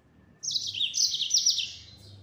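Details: Yellow-fronted canary in 'gacor nembak' full-speed song: one sustained burst of dense, high trilling with sharp chirps, fading at the end.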